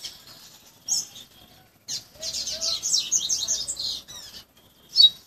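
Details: Young caged Bahian coleiro trained by tutoring, singing its fluted song: a fast, high, twittering run of whistled notes lasting about two seconds, framed by brief chips and quiet gaps.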